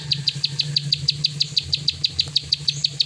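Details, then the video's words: Continuous 'klik' song of a plain prinia, regular sharp high clicks about three each second, with a steady low hum in the background and a small faint chirp near the end. "Burung prenjak sawah klik ngacor"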